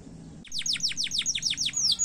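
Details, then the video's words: Canary in rapid short song, played to trigger singing in other canaries: a steady trill of about eight bright downslurred notes per second after a quiet start. "KENARI GACOR SPEED PENDEK UNTUK PANCING SUARA"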